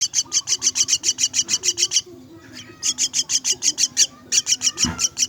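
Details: Myna chicks begging while being fed: rapid, harsh, high rasping calls repeated about three times a second in two long bursts separated by a short pause, with a dull thump near the end.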